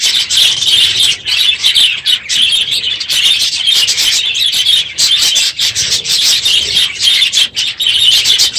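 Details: Budgerigar flock in a crowded aviary at the end of the breeding season, loud in the morning; a constant wall of high, scratchy chirping and warbling from many birds at once, with no pauses.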